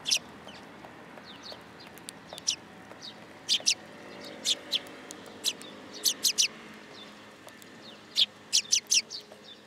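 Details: Sparrows at a shrine in Japan, perching on a person's hand, 8 July 2022, giving sharp, high, scattered chirps over a steady hum of background noise.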